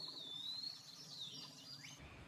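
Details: A drawn-out, sweet whistle from an Eastern wood pewee, wavering gently and slowly falling then lifting, lasting nearly two seconds before a quick upward slur, against a quiet, lightly noisy outdoor background.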